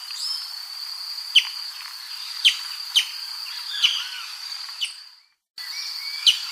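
Brazilian tanager giving sharp, high, downward-slurred notes spaced about a second apart, over a steady shrill insect drone.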